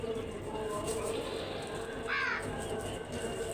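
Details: Crow giving a single harsh, hoarse caw about two seconds in, short and raspy, over a steady background hum with faint low tones throughout.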